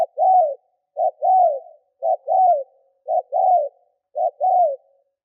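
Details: Decoy spotted dove cooing to attract and provoke wild doves. Five evenly spaced phrases, each a short hollow note followed by a longer arching, falling coo, repeat about once per second in clean silence.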